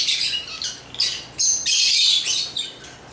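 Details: Brief African lovebird chirping: a few sharp, high, squeaky notes, then a louder, longer burst of shrill chatter lasting about a second, trailing into softer chirps.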